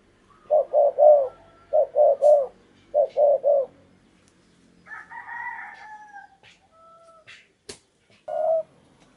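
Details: Spotted dove used as a decoy bird on a tree to lure wild doves, giving low cooing phrases of three notes each, repeated three times, followed by brief higher calls and a sharp click.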